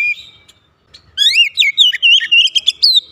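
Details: Oriental magpie-robin song played to coax lazy birds into singing: after a brief whistle and a pause, a fast run of ringing whistled notes, sliding up and down, fills the second half.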